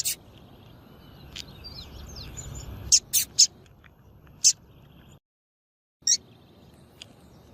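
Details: Bright, very high chips from a female double-collared seedeater, used to excite males for song contests, in a quick run of three, then single notes after a brief silent gap, with faint distant birds.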